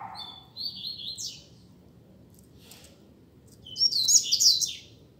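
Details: Rusty-collared seedeater song during a singing contest: a drawn-out whistled note and quick trill, a long quiet gap, then a loud burst of bright, rapid twittering.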